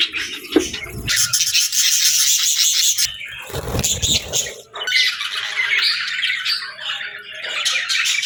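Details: A group of budgerigars chatters continuously at feeding time, a high, rasping warble full of squawks and twitters, with a low rumbling noise partway through.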